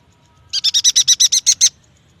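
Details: Yuhina lure song for young or silent birds: a single loud, fast string of about ten sharp high chips delivered evenly in just over a second, over a quiet background.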